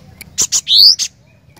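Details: Single cinereous tit phrase from prolific 'gacor' singing: faint lead chip, two sharp high notes, a loud rising whistle, and a closing chip.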